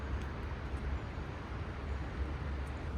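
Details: Low road traffic rumble dominates outdoors, a steady drone of passing vehicles and no animal calls.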